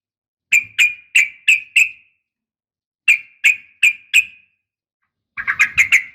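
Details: Female sooty-headed bulbul uplik tarung calling to provoke males: a group of five crisp chirps, then four more, ending in a fast burst of rougher notes.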